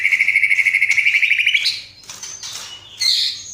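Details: Tutor recording of a White-rumped shama singing hard, its song filled with imitations of sparrows, fighting lovebirds and kapas tembak. A fast, even, pulsing trill at one pitch slightly rises, then breaks into high scratchy notes and a buzzy burst.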